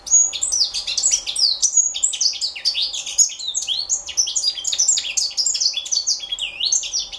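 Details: Juvenile African citril singing a fast, continuous twittering song of high, sweeping and chirping notes that run without pause, with a faint steady low hum behind.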